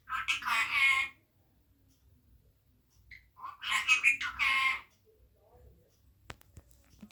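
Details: Indoors, a hungry parrot speaks to papa in high, nasal speech-like phrases: one burst at the start, a longer two-part phrase after a pause, then near silence with a few small ticks.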